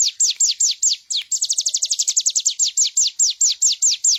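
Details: Energetic bar-winged prinia song recorded for training other birds: steady high downslurred notes that quicken into a rapid burst midway, then slow again to evenly spaced chips.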